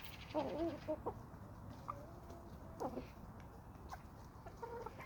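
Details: Backyard homestead flock of chickens and roosters; a quick burst of stacked clucking notes at the start, then sparse, softer clucks spaced irregularly over a quiet hum.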